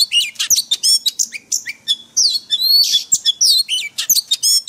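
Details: Forest-style song of an Oriental magpie-robin, played daily to train caged birds; dense, loud stream of varied whistles, buzzy chatters and rising slurs, phrases following almost without break.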